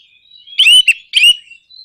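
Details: Orange-headed thrush uttering part of a nraktak konslet provocation song, aimed at prompting other birds to sing. Two loud, buzzy slurred bursts about half a second apart stand out between faint thin whistles.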